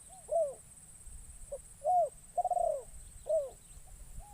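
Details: First forest outing of a newly trained spotted dove calling to draw in wild doves: clipped coo, curved coo, then a long quavering coo and a final falling coo, soft hiss throughout.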